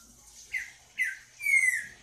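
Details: Green-winged saltator giving three clear whistled notes about half a second apart, each sliding downward, the last one longer and drawn out.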